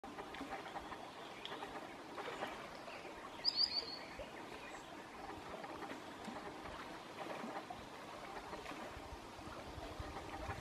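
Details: At midsummer in Southern Savonia, Finland, a common sandpiper at a favourite spot gives a quick burst of three or four thin, high piping notes against a steady rushing background like wind or running water.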